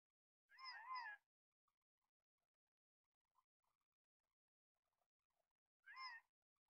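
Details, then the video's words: Male Gambel's quail in the Sandia Mountain Wilderness on a windy day, announcing his breeding availability: two loud, nasal, wavering single-note calls about five seconds apart, with faint scattered ticks in between. "Male Gambel's Quail Bird Call"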